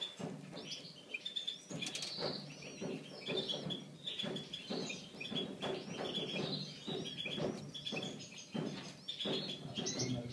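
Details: Five-day-old brown pastel bullfinch chicks give thin, high chirps in quick, overlapping bursts, several each second, over soft rustling and handling noise.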